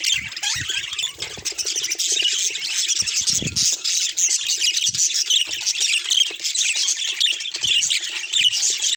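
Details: Steady budgerigar chorus of quick, grating chirps, squeaks and warbled phrases, bright and high, with a few soft low thumps in the background.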